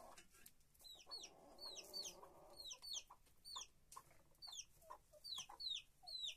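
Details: Henhouse chickens: clear high falling peeps, often doubled, repeat through the clip, while a hen gives a low, buzzy, sustained call for about a second and a half early on.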